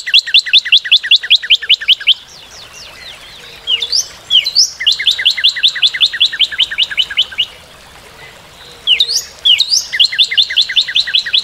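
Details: Repeated phrases from a Northern cardinal: long trains of rapid two-toned whistled notes, broken by brief slurred calls and short pauses, with the pattern resuming several times.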